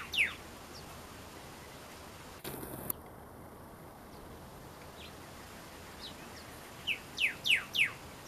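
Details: Male Pyrrhuloxia in the Tucson desert calling his mate: a short clipped note opens the recording, then a brief noise burst, a long quiet stretch, and four quick sharp descending notes near the end.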